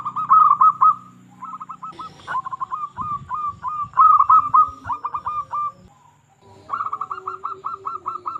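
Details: Local strain zebra dove in full song, used as a lure to coax quiet zebra doves into singing: phrases of rapid, staccato, mid-pitched cooing notes in quick runs, several bursts with brief pauses, a lower coo in between.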